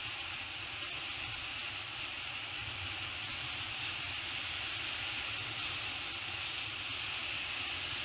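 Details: Continuous hissing roar of wind or surf with faint ticking clicks and no animal voice.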